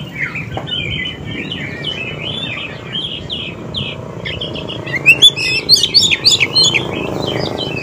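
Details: Wild-bird lure of Oriental magpie-robin song: a soft, steady chattering warble for five seconds, then loud, sharp, high notes in quick succession, with a faint low hum beneath.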